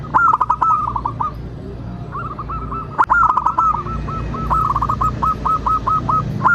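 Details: Local zebra dove song used as a lure for other doves to sing and answer: quick rolling coo notes slowing into an evenly spaced series of short hooked notes, about two per second, with clicks and low hum.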